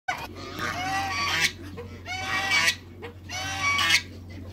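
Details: Pair of African geese in a backyard. Three long, harsh, strained honks, each lasting over a second and rising into a loud, rasping peak, separated by short pauses. Steady low hum underneath.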